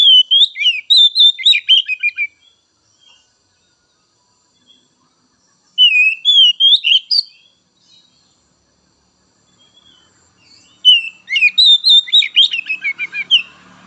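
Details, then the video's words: White-rumped shama singing three loud phrases of fluty whistles mixed with quick chattering notes, each phrase about two seconds long, separated by pauses, with a faint low hum near the end. "Merangsang Kacer Bahan dan Trotol!!"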